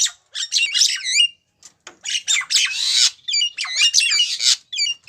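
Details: Female Javan myna calling for a male, with bursts of scratchy squawks and looping whistled notes separated by short pauses.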